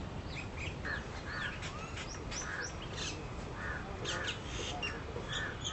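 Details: Western swamphen feeding with its chicks: a run of short, harsh, nasal squawks at mid pitch, some doubled, mixed with thin high chirps and a steady background hiss.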